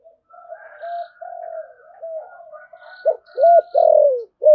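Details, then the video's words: Spotted dove of thổ sấm voice type, thúc gù rapid cooing with calling: soft, wavering murmured coos at first, building into several loud, full, arched coos at the end. "cu gáy thúc gù/ cu gáy thổ sấm thúc gù và gáy gọi"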